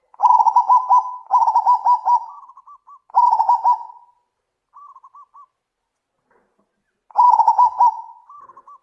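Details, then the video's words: Zebra doves calling back and forth loudly: rapid staccato bursts of clipped coos, several phrases followed by softer, thinner replying notes, then a pause and another burst. "suara panggilan burung perkutut - saut sautan - suara besar"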